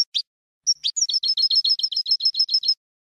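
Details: European goldfinch song, with no endings or finishing phrases, recorded for tutoring young goldfinches: two quick chirps, a pause, then a steady rapid trill of repeated high twittering notes.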